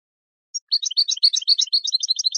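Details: Song of the European goldfinch, used for training birds: one high note, then a fast continuous twittering of bright, liquid notes alternating up and down.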